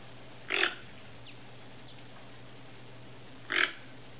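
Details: A wild toco toucan visiting a backyard in search of food gives two harsh, grunting croaks about three seconds apart, over a steady low hum.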